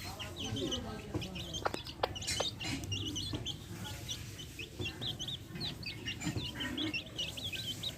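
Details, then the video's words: Chicks with backyard hens while feeding give many high, short, upward-swept peeps in a busy overlapping chorus, with occasional low clucks and a few sharp knocks. "Adorable backyard hens with chicks making adorable sounds!"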